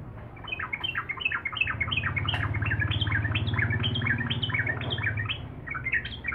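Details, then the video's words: Sooty-headed bulbul chattering rapidly, its song used to provoke rival birds. A continuous tumble of short bubbly notes sits over a loud, buzzing low hum that dominates the middle. "trucuk gacor.. liarpun pasti nyambar.."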